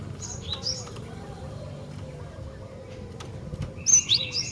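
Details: Female Javan sparrow calling to males: short, thin, high chipping notes at the start, then a quick cluster of bright squeaky chips near the end, over steady low hum and a soft wavering whistle from another bird.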